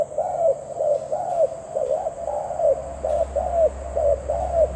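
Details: Zebra dove giving a run of short, quick cooing notes in a mid pitch, each rising then falling, about one per second, with a steady high thin whine behind and a faint low rumble.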